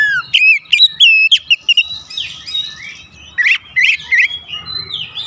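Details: Oriental magpie-robin pancingan intended to heighten excitement: a string of quick whistled hooks and downslurs, brief pause, then sharp chips and sliding whistles ending in a long high note.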